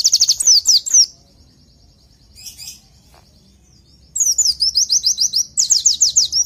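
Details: Oriental white-eye song used as masteran, a training recording for caged birds: a burst of rapid, high, downslurred twittering notes, a pause with a faint chirp, then a longer run of quick repeated slurred notes.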